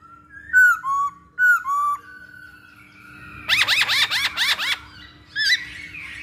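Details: Masked laughingthrush lure song: two whistled slurred phrases, a soft sustained note, then a rapid series of about six loud arched chattering notes and a last harsh note, over a low hum.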